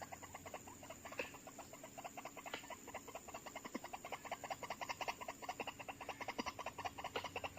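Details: Harsh repeated croaks of white-breasted waterhen, lured with played-back calls for trapping and two birds coming within seconds; quieter, fairly even pulsing series of rough notes, over two per second, with a steady high background hum.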